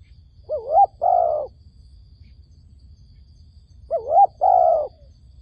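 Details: Dove calling to lure wild doves into a trap in Cambodia: two loud coo phrases about 3.5 seconds apart, each a short wavering note followed by a longer, even, slightly falling coo, over a quiet low hum.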